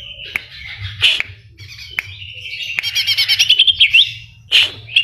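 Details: A greater green leafbird sings a lively, high medley of sharp snapping notes, clear whistles and a fast stuttering run of chips, with mimicked phrases of other birds, including cililin and kapas tembak, woven in.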